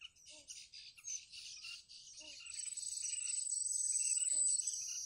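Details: Hungry, newly hatched bittern chicks in a wild nest beg for food with a thin, rasping, high chatter of quick repeated notes, soft at first, then louder and more insistent, with a steady high insect-like whine behind.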